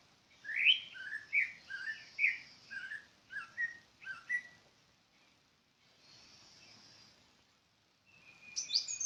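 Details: A bird repeats a rapid series of short, downward-slurred chirps for about four seconds, falls silent with faint background noise, then resumes with high, loud notes near the end.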